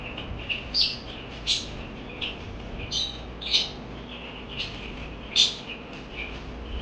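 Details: Parakeets chirping: short, high, bright chirps repeated about every three-quarters of a second, some rising into sharp squeaky notes, over a steady low hum.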